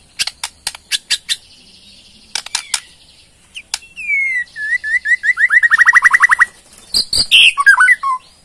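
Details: Ketrekan rattle of a Borneo white-rumped shama, revealing its song fillers: scattered clicks, then a sweeping whistle into an accelerating trill of rapid downslurred notes, ending in harsh bursts and warbles.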